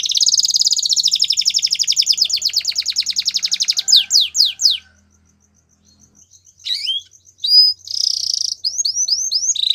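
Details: Belgian canary in song: a long run of rapid sweeping notes, several loud downslurs, a quiet gap with soft ticks, then sharp whistles, a buzzy burst and a closing series of slurred notes.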